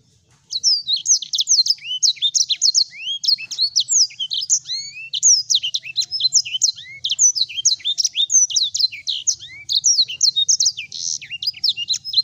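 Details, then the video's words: Sanger in vigorous full song: after a brief silence, dense rapid twitters and high whistled slurs run without pause for about eleven seconds, with a quiet low hum beneath. "Masteran Ampuh SANGER Gacor"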